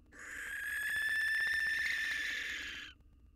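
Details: Barn owl male at the nest box, courting a new mate only days after losing his partner: one drawn-out harsh hissing screech of almost three seconds, swelling then fading.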